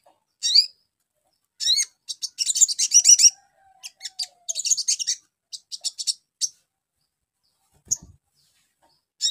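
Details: Crimson sunbird lure song meant to make birds respond quickly: sharp high chips, then bursts of fast, thin, buzzy twittering with pauses between, and a faint low knock near the end.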